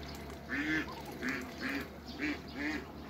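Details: A backyard meeting of hybrid Cayuga and Muscovy ducks: short, nasal quacks repeated about once a second, even and fairly soft, over a low steady background hum.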